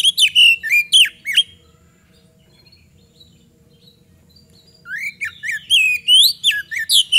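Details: Lure recording of magpie-robin song to draw responses from other birds: bursts of loud swooping whistles and sharp notes, a quiet gap of several seconds, then another run of rising and falling whistles.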